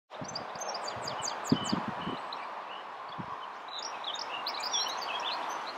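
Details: European goldfinch singing lustily early one morning in Cambridgeshire, England: quick, tinkling high twittering notes, several per second, over a steady roar of background noise with a few low thuds.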